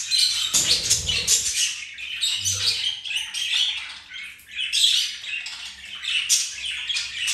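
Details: Pet budgerigars flirting and playing; dense scratchy warbling chatter with squeaks, plus low thumping handling or movement noises early on.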